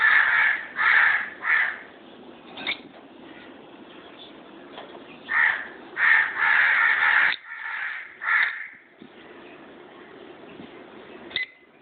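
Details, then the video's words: A pair of pet lovebirds gives bursts of raspy, grating screeches in clusters of two or three, separated by quieter gaps, with one thin sharp note near the end. "Love Birds"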